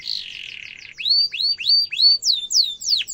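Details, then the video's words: Singing canary performing a tutor song for young canaries: a low buzzy rattle gives way to clear, arched whistled notes about three a second, rising then falling sharply. "Kenari gacor ngerol tajam suara kesukaan kenari muda gampang ditiru efektif untuk masteran kenari"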